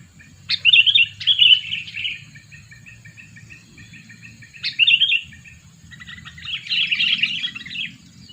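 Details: A two-year-old sooty-headed bulbul used to lure birds. Loud sharp chirps open short bubbly phrases, three repeated within five seconds, then a denser burst of twittering, with a faint low hum behind.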